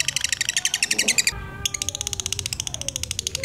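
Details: Ngekek song of a lutino lovebird with black eyes, used as a lure for other lovebirds. The rapid harsh chatter stops for a moment, then returns as a steady stream of quick pulsed notes over a faint low rumble.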